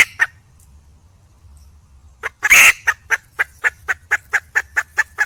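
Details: Wild hen (red junglefowl) seeking a mate: an isolated cluck, a silent gap, then one loud, scratchy squawk followed by a quickening train of sharp clucks.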